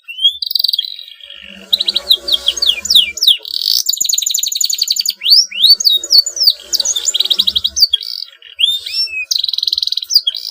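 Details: Canary pouring out a long song intended to spur rivals to sing: mixed rising whistles, rapid rattling trills and sharp sweeping notes, with soft low background noise.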